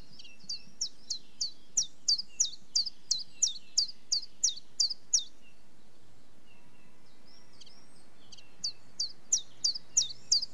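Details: Common chiffchaff delivering a long run of about thirteen high, chipped, downward-slurred notes, breaking off for a few seconds while a faint different bird call sounds, then restarting with six more notes.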